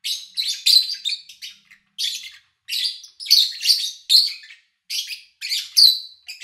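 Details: Lovebirds kept by an owner, recorded in August 2019 during a quiet spell with little engine or human noise: bursts of sharp, high chirps and short squeaky notes in quick clusters separated by brief pauses.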